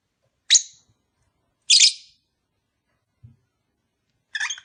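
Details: Lovebird calls played to spur a pet pair toward mating: separate sharp, screechy chirps about a second or more apart, a faint low thump between them, and a rougher chattering note to finish.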